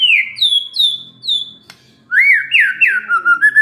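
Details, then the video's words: White-rumped shama answering a lure: three clear falling whistles about every third of a second, a brief pause, then a fluid sequence of rolling, swooping whistles. "SEKETIKA MURAI STRES SONTAK BERBUNYI DENGAR PANCINGAN INI"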